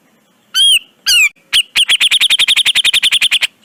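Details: Grey-cheeked bulbul, recorded to train caged birds. Two drawn-out arched whistles open the phrase, followed by a quickening run of about twenty short clipped notes delivered in a fast, steady stutter.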